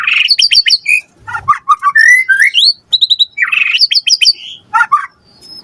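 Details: White-rumped shama in full, vigorous lure song meant to prompt a quick reply: rich varied whistles, fast trills and sweeping notes, with bursts of rapid repeated phrases separated by short pauses.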